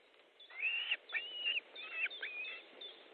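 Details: Excited chain of sharp, whistled, slightly wavering calls from an osprey at the nest during a fish delivery, Estonia, 14 July 2014, shortly before 13:00.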